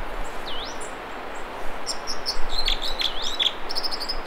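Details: American Dipper singing in the Mamquam River spawning channels near Squamish, British Columbia: a swooping whistle early on, then a quick run of sharp, looping whistled notes after a pause, over the steady rush of flowing water.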